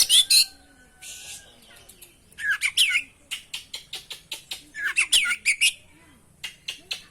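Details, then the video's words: Oriental magpie-robin song from a lure recording: bursts of buzzy, warbled whistles alternate with a long series of sharp, dry clicking notes and a brief hiss, with quiet background between phrases. "masteran pancingan burung kacer gacor isian bongkar"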